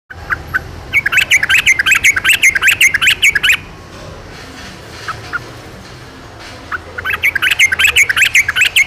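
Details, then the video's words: Wild yellow-vented bulbul singing in two loud bursts of rapid, bubbly, chortling notes, separated by a quieter pause with a few softer notes. "KICAU TRUCUKAN DI ALAM LIAR"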